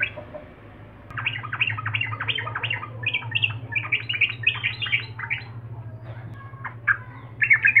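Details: Energetic sooty-headed bulbul (trucukan) song used to lure and provoke rivals, caged or wild: fast, bubbling chatter of squeaky notes repeated roughly four per second, easing briefly before louder phrases at the end, steady low hum behind.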